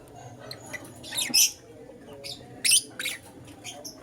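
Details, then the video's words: Harsh, squawky high chirps from a lutino lovebird in the morning, in a few loud bursts about a second apart, with softer notes between them. "Lutino LoveBird Chirping Sounds"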